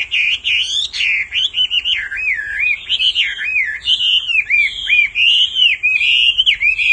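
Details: Male Hwamei in full song, prompted by a female's repeated calling: continuous, loud, warbling whistles bending up and down, varied and fluid across seven seconds, faint low hum beneath.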